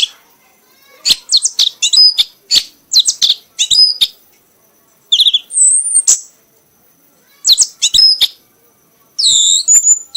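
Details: Caged red-whiskered bulbul, a prize-winning bird, singing vigorously in an excited, frenzied state until exhausted: bursts of high, sharp chirps and whistled notes in quick clusters, separated by short pauses, with some rising and falling slurred whistles.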